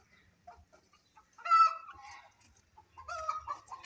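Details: Grey francolin during breeding season, playing in mud, gives quiet clucks and then two loud, harsh, ringing calls about a second and a half apart, with faint low thumps.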